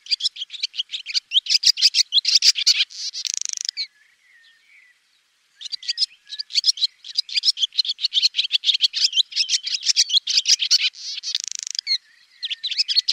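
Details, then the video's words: Swallow giving a fast, chattering twitter of high notes, broken by two dense buzzy rattles and a near-silent gap of about a second and a half before the twittering resumes. "SWALLOW BIRD Sound Effect"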